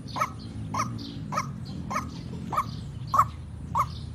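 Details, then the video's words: White-breasted waterhen, lively lure sound for trapping: hoarse, clipped croaks repeated regularly about every 0.6 seconds, rather soft, over steady low rumbling background noise. "Suara Pancingan Burung Ruak Ruak Gacor Untuk Pikat"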